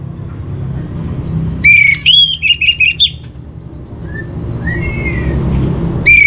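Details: Orange-headed thrush master song meant to stabilise home-kept birds' emotion and breeding drive: a burst of four or five loud, ringing whistled notes, then faint soft slurs, another phrase starting at the end, over low background noise.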